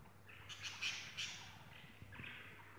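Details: Pet budgerigars playing with each other give squawky, chattering chirps in a burst around the first second, then softer warbling calls over a steady low hum.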